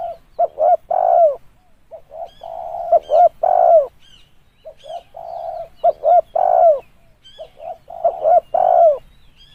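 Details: Spotted dove call played as a trapping lure: quick short coos building into long falling coos, phrase after phrase at an even pace, with faint high chirps of small birds behind.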